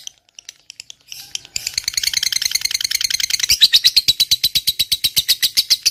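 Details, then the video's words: Long lovebird 'ngekek' trill for provoking other lovebirds: a few scattered faint chips, then a loud continuous run of shrill clipped notes, about three a second, strengthening toward the end. "Suara Burung Lovebird Ngekek Panjang, PINTAR Memancing EMOSI, LB Bisu SUSAH BUNYI Langsung NYAUT"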